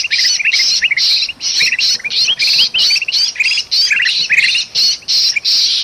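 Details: Distressed, noisy bulbul from Sumatran forest, used as a lure for other birds. It gives pulses of harsh scratchy noise, each carrying a few quick upward-flicked chirps, repeated in a steady frantic series.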